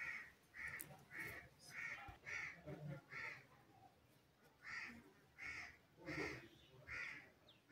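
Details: Talking green ringneck parakeet repeats about eleven short, raspy, nasal squawks in fast runs, pausing briefly midway before another burst. A low hum sits underneath.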